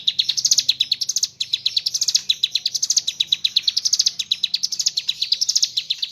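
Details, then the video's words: Mountain leaf warbler singing gacor in ngebren style with kapas tembak filling: quick trains of high, thin notes climbing in short repeated phrases, with a brief break near the first second. "ciblek gunung / cigun gacor ngebren isian kapas tembak bird sing"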